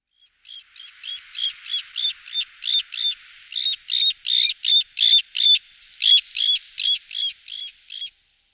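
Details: Bird call, given a local Bengali name: a steady run of about twenty short, sharp, ringing notes, roughly three every second, each with a bright high tone and a buzzy edge.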